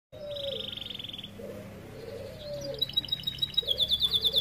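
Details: Starblue-coloured canary singing a unique, elaborate song meant as a master recording for young canaries; fast buzzy trill, a pause, then rapid repeated high notes and sharp rising chirps, with a faint lower hum underneath.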